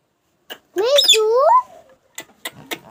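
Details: Parrot described as wild, giving a short run of harsh, rising, tonal squawks lasting under a second, with faint clicks and scattered short sounds before and after.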